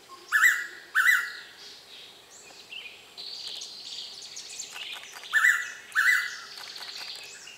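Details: Blue-winged Pitta, a tame wet-season breeding visitor, calling for minutes from a tree near the recorder in Kaeng Krachan National Park, Thailand. Two loud two-note whistled phrases, roughly five seconds apart, with other birds' sweeping, twittering notes filling the gaps.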